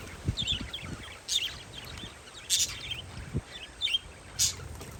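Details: Parakeets chirping outside on a windy day: sharp, high, scratchy chirps in quick clusters about once a second, with a soft wind rush and occasional low thuds beneath.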